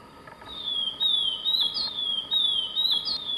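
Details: Swainson's thrush in the wild, singing a high, fluty phrase of slurred whistles that is repeated about three times in quick succession, with a constant thin tone in the background.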